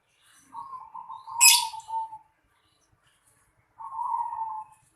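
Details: Zebra dove calling in a house yard in Indonesia: a level, slightly wavering cooing trill, repeated after a pause, with one sharp high chirp from another bird overlapping the first call.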